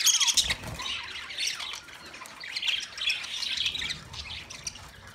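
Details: Australian parrots, budgerigars, recorded 13 March 2024: a loud squawk opens, then irregular scratchy chirping and soft warbles from several birds.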